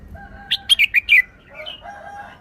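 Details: Short wild-style song from a caged red-whiskered bulbul: a tight string of five loud, bright, downslurred whistles lasting under a second, ending with softer lower warbling notes.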